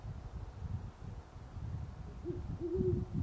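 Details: Steady low rumble fills the background while a great horned owl, calling near sunrise on November 25, 2011, in Parker, Colorado, gives two deep hoots at the end, the second longer.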